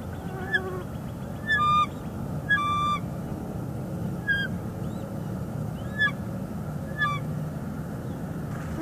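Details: Female bald eagle on her Northeast Florida nest, February 2021, talking to her mate on a branch: repeated short, high chirping notes, some downslurred, roughly one per second, over a low constant background noise.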